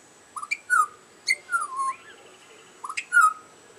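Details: Butcherbird singing while chirping for dinner: a run of rich, fluted whistles, short rising notes leading into longer falling slurs, repeated in phrases across the clip against a quiet background.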